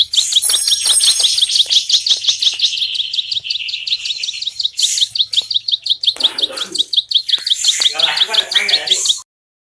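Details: Bar-winged prinia, locally called ciblek sawah, delivering a long rapid run of high, sharp, buzzy chips at a fast steady pace, with brief louder bursts and a faint rustle near the end.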